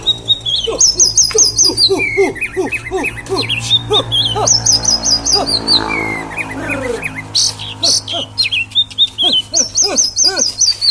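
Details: Oriental magpie-robin singing loudly in the energetic konslet style: a dense stream of varied whistles, high repeated notes and rapid trills, over a steady run of lower, bouncing chipping notes throughout.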